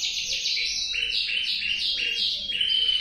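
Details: Male canary singing: smooth rolling trills of high notes in overlapping phrases, stepping down in pitch and back up, with a slight echo and a low background hum.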